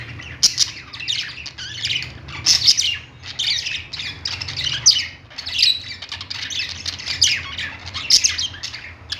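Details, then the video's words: Pet-store budgies perched together and chattering: overlapping squawky chirps and quick warbled notes arriving in rapid irregular bursts throughout, with a constant low background hum. "budgies singing on perch | parakeet chirping sounds in pet store"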